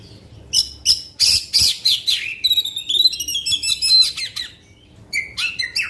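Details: Black-winged magpie-robin pouring out 'tembakan panjang' long-shot song that rouses rival magpie-robins: crisp repeated high notes, buzzy bursts, and a rising rapid trill, roughly three phrases per second.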